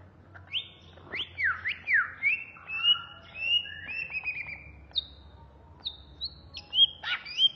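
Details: Agitated ngentrok ngamuk singing from a Banyuwangi cucak ijo (greater green leafbird), a hobbyist's bird: rapid varied whistles, steep up-and-down slurs and short high chips delivered in quick succession over a low background hum.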